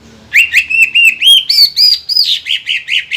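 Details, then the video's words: Green leafbird, a caged songbird meant to set rivals singing, delivering about four ringing whistled notes per second, each a rising-falling slur, higher in the middle of the phrase. "PANCINGAN CUCAK IJO GACOR INI MAMPU BIKIN EMOSI LAWAN CUMA HITUNGAN DETIK"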